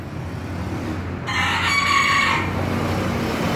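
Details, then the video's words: A green junglefowl crows once, a short, hoarse crow lasting just over a second, over a steady low rumble like distant traffic. "ayam hutan hijau berkokok"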